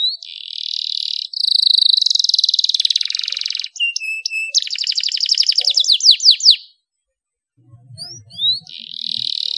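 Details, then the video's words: Canary singing long, varied rolls meant to encourage idle canaries to sing: steady high buzzy trills, a few sharp notes, then a rapid rattling trill and descending sweeps, a short pause, and more trilling. "KENARI GACOR ngeroll panjang cengkok mewah suara jernih buat pancingan kenari males bunyi"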